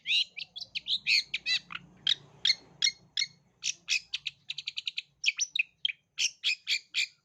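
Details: Long-tailed shrike lure song for young birds: a steady rapid series of harsh, grating high notes, roughly four to five per second, with a brief stutter of faster clipped notes midway, over a faint low hum.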